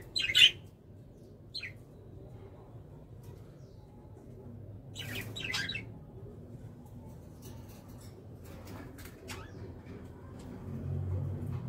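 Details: Kakariki calls as a few brief, sharp, squeaky notes spread widely apart, with soft low rumbling background noise between them.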